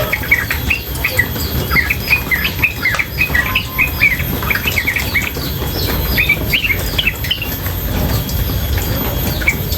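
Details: Female yellow-vented bulbul in a rapid, unbroken chatter of squeaky, bending chirps, tightly packed for most of the stretch and thinning toward the end, with running water hissing beneath.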